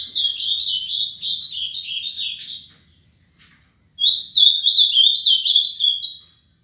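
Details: Ultramarine grosbeak (azulão) from Paraná, Brazil, a seven-year-old caged male kept for song: two bright, rapid warbling phrases of slurred whistled notes, the first about two and a half seconds long, separated by a short pause and a single chip.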